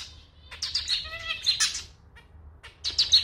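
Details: Male zebra finch, a pet, in a short stretch of his clarinet-like, slightly out-of-tune song: buzzy broadband notes around a clear nasal harmonic tone, then two further buzzy notes.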